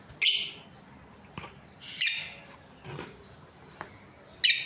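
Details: Australian lovebirds, a breeding pair, chirp in sharp, raspy high bursts about every two seconds, with softer short notes in between.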